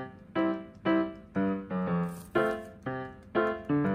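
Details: Piano music with evenly spaced chords, about two per second; no animal voices.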